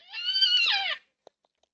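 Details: In a backyard in NSW, Australia, where four yellow-tailed black cockatoos gather at a feeder, one bird gives a loud drawn-out wailing cry of about a second, rich and harmonic, bending downward at the finish, followed by a few faint clicks.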